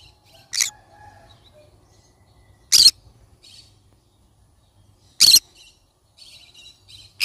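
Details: A yellow-sided (green-cheeked) conure gives short, harsh, high screechy calls, one every two to three seconds, with faint softer chatter between them.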